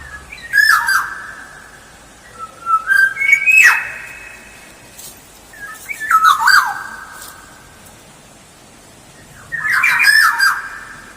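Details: Lively black-naped oriole song used to lure birds: four spaced bursts of fluted, slurred whistles interwoven with rough, scratchy squawk notes, separated by short pauses.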